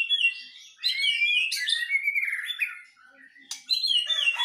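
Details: Duel of white-rumped shamas, a Medan bird against a wild Nias bird. Fluid, buzzy-edged whistled phrases slide up and down, pause for a moment, then resume with bright warbling.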